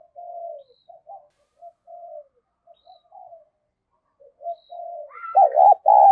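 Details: A female spotted dove coos to stimulate males. Short, soft, low coo notes are spaced with pauses, and the clip ends in loud, wavering, bubbling coos.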